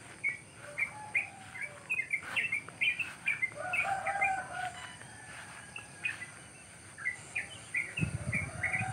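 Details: Wild birds chirping on a cool morning in rice fields at the edge of a village; many short bright chirps repeat quickly and irregularly, with a lower warbled phrase around the middle and a brief low rumble near the end.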